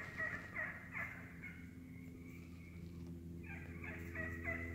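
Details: Wild turkeys in a feeding flock in the woods: loud clucks and cutting at the start, a softer purring lull, then another quick run of cutting notes, with a low hum beneath.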